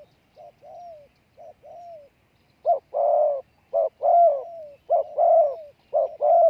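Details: Spotted dove call used to attract wild doves: softer coo pairs at first, then louder, fuller short-and-long coos overlapping, suggesting two birds answering each other.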